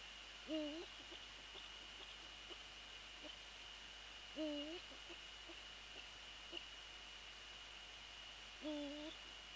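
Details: Eurasian eagle-owl calling during a nighttime nest visit on 20 January 2014: three deep, brief hoots spaced about four seconds apart, each dipping then rising, over a continuous high hum and faint ticks.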